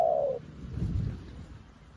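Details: A newly kept decoy spotted dove, calling like a seasoned decoy for trapping wild doves, gives a single soft, low coo that falls slightly over about a third of a second, then low rumbling background noise.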